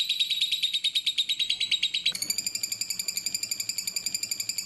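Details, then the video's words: Lovebird song from a clear, spaced master recording: quick sequence of harsh chirps that switches abruptly to a steadier, more nasal rattling series, with a faint low hum underneath. "MASTERAN BURUNG LOVEBIRD JERNIH DAN BERJEDA"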